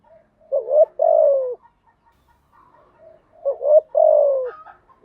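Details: Spotted dove song used to get newly caught doves singing; two phrases, each two brief upswept coos then a long descending note, separated by quiet low cooing.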